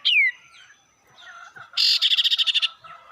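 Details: Sirtu song used as a lure to provoke rival birds, cipou brondol style: one loud downslurred whistle, a quiet gap, then a harsh buzzy rattle of rapid pulses lasting nearly a second.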